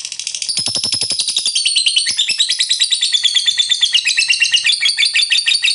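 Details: Lovebird of fighter type giving ngekek panjang, a long chatter used as bait to provoke other lovebirds into singing: dense, harsh, high-pitched trilling chatter of rapid buzzy notes, unbroken throughout, rising slightly in places.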